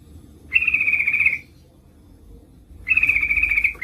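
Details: Female Yellow-vented Bulbul calling a male as a lure: two level, rapid, buzzy trills of just under a second each, separated by a quiet pause with low steady background noise.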